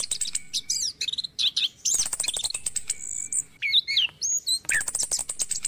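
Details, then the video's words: Orange-headed thrush singing in the morning, played to lure stressed or silent caged thrushes into song: varied high whistled and trilled phrases with rapid buzzy note-rows and upslurred whistles, separated by short pauses. "PANCINGAN ANIS KEMBANG DI PAGI HARI"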